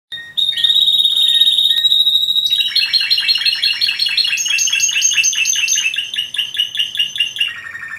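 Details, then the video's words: Yemen linnet singing: a long steady high whistle held for about two seconds, then a bright run of rapid trilled notes that step up, hold, and drop lower toward the end. "yemen canary"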